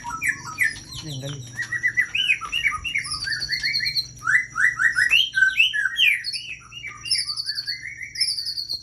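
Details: Aceh white-rumped shama singing in fighter style with long breath: a rapid, continuous run of varied whistled and chattering phrases. Notes twist up and down, with sharper high accents between them. A low hum sits underneath.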